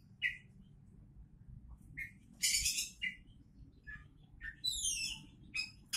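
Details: Oriental magpie-robin, a champion-candidate songbird, giving short whistled notes, a loud harsh buzzy burst, and a descending cascade of high sweeping notes, phrases spaced irregularly about every two seconds above a low hum.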